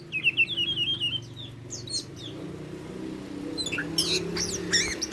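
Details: Tame Oriental magpie-robin opening with a wavering, warbled whistle, followed by a quieter stretch with scattered high chirps and a faint hum behind.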